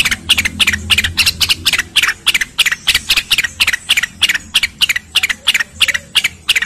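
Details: Cucak rengganis rapid, dense song used to train competition birds, over flowing water: steady stream of crisp, scratchy chirps, roughly three a second, in long unbroken runs.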